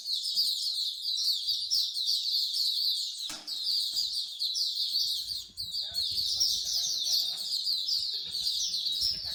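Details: Bird singing corner in Singapore, where bird lovers gather: a steady wall of shrill, fast warbled song from many birds, one sharp click near the middle, and quiet low rumbling voices later.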